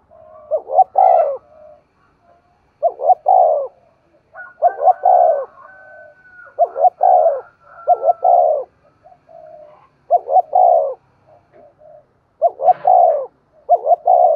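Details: A captive spotted dove calls as a morning lure for wild birds, repeating its three-part coo about seven times in quick succession. Each phrase is short, short, long, with faint overlapping whistles and softer coos between.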